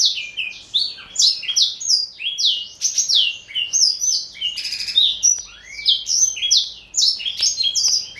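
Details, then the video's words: Four-year-old male black-throated canary, Somerini x Botswana cross kept as a pet, singing a continuous run of bright, high descending whistled notes, about three or four per second, rich and fluid without pause. "Kicau Merdu BLACKTRHOAT SOMBOS Somerini x Bostwana"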